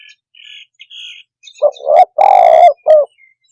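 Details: Spotted dove call meant to rile up other birds: thin high whistled notes first, then one loud, harsh three-part coo with a short lead note, a long rolling middle note and a brief end note.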